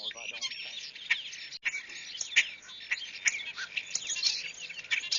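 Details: European Starlings in Zion National Park give a dense jumble of clicks, squeaky whistles and rattling chirps, steady and busy throughout with no pauses.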